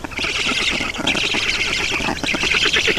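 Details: At a black stork nest in Estonia, 7 June 2019, adult bringing water: harsh nasal squawks pulse rapidly and continuously, loud and close.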